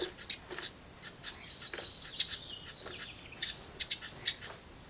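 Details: House wren nestlings in a birdbox begging loudly as a parent arrives with food: high, thin chirps and buzzy, drawn-out squeals, irregular and overlapping, with a few sharper peeps near the end.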